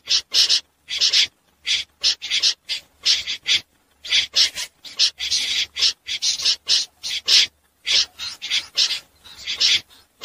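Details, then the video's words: Night calls of a common snipe used to lure birds into trapping nets: a steady run of short, hoarse, scraping notes, often in pairs, about two per second across the whole stretch. "Tiếng dẽ giun lưới đêm"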